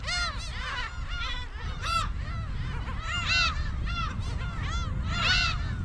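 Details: Black-tailed Gulls at their Dokdo island breeding colony, where they stay from May until egg-laying ends in August, give nasal, cat-like mewing calls that overlap in quick bursts from several birds as mating begins, over a steady low rumble of wind or surf.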